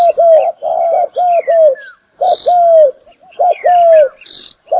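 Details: Lure recording of a spotted dove for bird trapping: loud, hoarse coos in three phrases, each a run of short arched notes, separated by short pauses. Falling whistles and a thin high tone sound in the background, with occasional hissy bursts.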